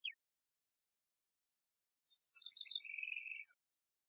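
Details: Diademed tanager song: a single falling note, a long pause, then buzzy stuttered notes running into a dry rapid trill that lasts about half a second.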